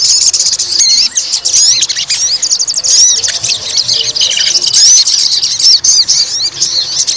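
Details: Provoked to fight, a white-rumped shama pours out a continuous stream of high, rapid twittering and squeaky whistled notes, with hardly any pauses.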